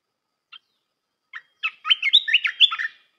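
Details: Red-whiskered bulbul singing a melodious training song for young birds: a few single sharp notes, then a dense, lively phrase of bright whistles and warbled slurs, with no background noise.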